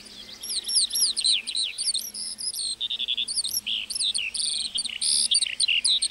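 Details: Lark singing in a meadow: a rapid, continuous stream of high twittering and trilled notes, many short rising and falling whistles with buzzy bursts, delivered without pause.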